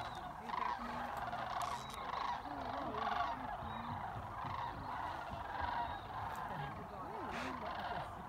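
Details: Sandhill cranes returning to Jasper Pulaski from feeding in nearby fields: a large flock's rattling, bugling calls blend into a steady din, with wavering individual notes rising and falling through it.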